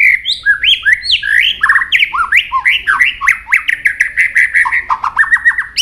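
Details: White-rumped shama singing many varied, shifting notes while flicking its tail continuously: a fast, unbroken run of rich whistles, upslurs and downslurs, mixed with clicks and short buzzy trills.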